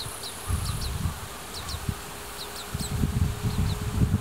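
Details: Oriental greenfinch fledglings, just out of the nest, follow their parents and beg for food during the March to July breeding season in Hiratsuka, Kanagawa, Japan. Short, high, thin chirps come in quick pairs and bursts over steady low wind rumble, recorded with a built-in microphone.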